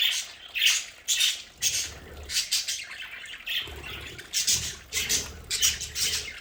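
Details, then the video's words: Pet budgerigars chatter in bursts of scratchy high squawks and chirps, roughly two calls each second, in an indoor play area, with soft low thumps between. "Sonidos de budgies para Budgies en casa"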